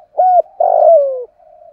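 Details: Caged decoy spotted dove in the thổ voice style used for lure training: a steady short coo followed by a long, breathy coo sliding downward, trailing into a faint low hum.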